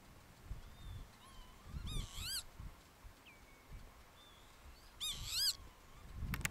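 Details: Young northern lapwings in the Oostpolder, Groningen, Netherlands, giving short, wheezy, rising notes in two quick bursts, with thin whistles between, over low wind rumble.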